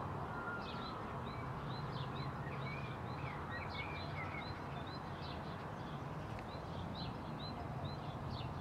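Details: Great tit under a bell in April 2022, giving quick, high chirps and short sweeping notes in scattered bursts, over a steady low rumble of wind or distant traffic.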